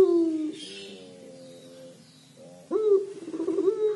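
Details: Collared dove known as puter pelung, in 'crying' mode: a falling coo tails off into quiet, then a new call bursts in with a sharp rise and holds long and mellow.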